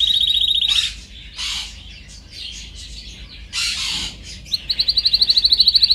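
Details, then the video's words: Canary song from a training recording: a fast high trill at the start, breathy buzzy bursts in the middle, then a quickening trill of repeated notes at the close. "Canary singing"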